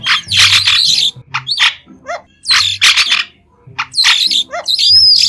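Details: White-shouldered starling song with no background noise, a jumble of scratchy chirps, short descending whistled slurs and a clear rising whistle near the end, delivered in separate bursts.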